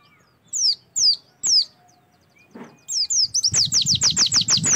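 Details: Oriental white-eye tutor song for getting white-eyes to sing: three spaced, sharp downslurred whistles, a soft low thud, then an accelerating chain of bright, high descending notes.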